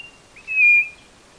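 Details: Single pure whistled note from a Brazilian northeastern quail, steady in pitch and held about half a second, clear against a quiet background.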